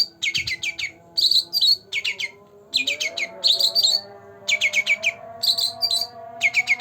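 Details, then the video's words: Young caged green leafbird, two months old, in continuous song: bursts of fast, sharp high notes alternating with rich slurred phrases, over a faint low hum. "Cucak Ranting Gacor Dor Dor pancingan untuk burung yangg jarang bunyi"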